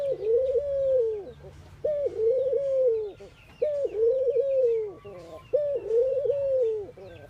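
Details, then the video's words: Ring-necked doves cooing in morning activity in India: a soft, rolling, arched hoot with a small dip midway, repeated about every two seconds, with faint chirps from other birds in the background. "Ringneckdoves calling sound"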